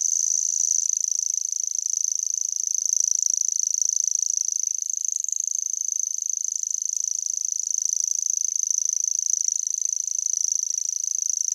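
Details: In the dunes of Den Helder, a common grasshopper warbler reels without pause, a high, dry, insect-like trill held at one pitch.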